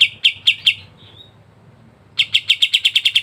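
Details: Pied triller (kapas tembak): a few loud spaced chips and a faint trailing whistle, a brief silence, then a quick, evenly repeated series of sharp high notes.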